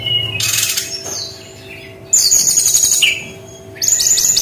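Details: Brown-chested jungle flycatcher delivering 'tembakan' style song in loud bursts: harsh noisy chatter, a shrill high ringing whistle and a falling slur, with quiet pauses between outbursts.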